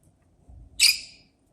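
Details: A chatty rosy-faced lovebird (Agapornis roseicollis) gives a single shrill, harsh, squeaky high-pitched chirp lasting about half a second, over a faint low background rumble.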